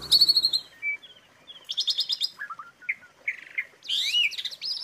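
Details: Asian pied starling song used as a tutor for songbirds: a loud harsh opening, scattered whistled notes and buzzy chatters, ending in a dense burst of high rasping trills and a rising whistle.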